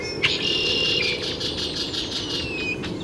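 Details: Great-tailed grackle, Taos, New Mexico, June 17, 2017, making a steady high rattling series of about a dozen harsh pulses mixed with a thin sustained whistle that ends in a downslur, over low background hum.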